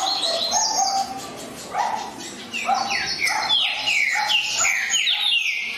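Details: Green-winged saltator singing energetic whistled phrases, clusters of rapid downward-sliding notes repeated several times a second.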